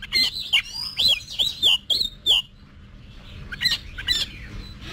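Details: Oriental magpie-robin's competition song for training: a series of loud, clear downslurred whistles with sharp clicks, about two per second, then fainter distant notes after a pause, over a low hum.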